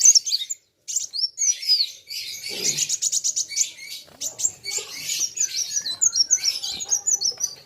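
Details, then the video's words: Sunbird matching a rival with nonstop song: thin high whistles, a fast stuttering burst of clicks, then long runs of sharp, overlapping high chirps. "BURUNG KOLIBRI WULUNG NARUNG GACORR KETEMU LAWAN SAMA" GACORR..RAMAII"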